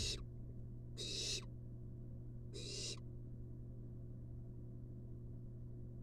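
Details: Wild barn owl nestling in a monitored nest box as its mother brings a long-tailed rat. Three breathy, rasping hisses spaced about 1.5 seconds apart are followed by quiet, with a steady low hum throughout.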